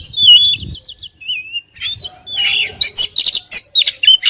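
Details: Oriental magpie-robin singing at full volume: quick runs of high whistles, trills and chirps, varied and tumbling, with some low background rumble early on.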